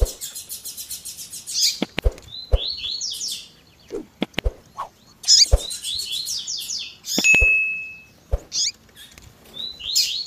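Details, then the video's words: Double-collared seedeater singing the tui tui zel zel style mixed with a female's calls, edited to stir up males. High buzzy phrases and slurred notes come in bursts, with sharp clicks between and one thin pure whistle. "COLEIRO TUI TUI ZEL ZEL COM PIADO E CHAMANDO DE FÊMEA MUITO QUENTE CHAMANDO E MACHEANDO MUITO."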